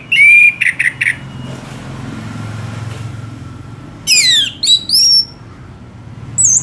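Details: Orange-headed thrush giving sharp whistled and trilled phrases, a pause filled with low rumbling background noise, then descending slurred whistles and a rising note.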